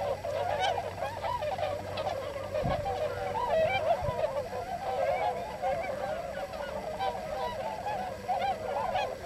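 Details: Hundreds of Tundra swans wintering on farm fields near Yasugi, Shimane Prefecture, Japan, after arriving from Eurasia. They produce a dense, unbroken clamor of shrill, nasal honks and whooping calls, with a brief low thump partway through.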